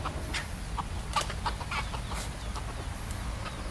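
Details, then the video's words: Wild Red Junglefowl in an urban district of Singapore give short, soft clucking notes at irregular intervals, over a steady low rumble of background noise. "Urban Wild Chickens - The Red Junglefowl (Gallus gallus)"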